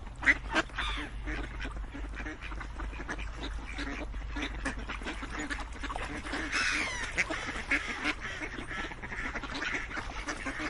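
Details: Ducks on a farm quacking together as a busy flock, a dense, continuous overlapping chorus of nasal calls with a few louder quacks standing out, over a low rumbling background.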